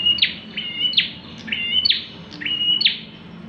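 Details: Bar-winged prinia song, used to attract other birds: five evenly spaced phrases, each a high straight whistle followed by a bright buzzy note dropping sharply in pitch, in a quiet background.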